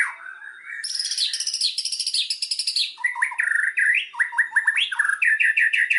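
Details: White-rumped shama song used as a lure to trigger singing: a varied run opening with low slurred whistles, then a rapid buzzy trill of stacked high notes, followed by repeated rising and falling whistled phrases.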